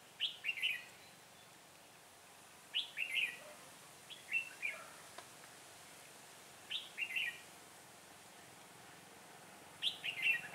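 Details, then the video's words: A decoy red-whiskered bulbul at a trapping site, December 2016, sings quick chirpy phrases of three or four notes. They come at steady intervals of about two to three seconds against a soft, even background. "Bẫy chào mào giọng hay mau mỏ , chuyền cầu chóng mặt"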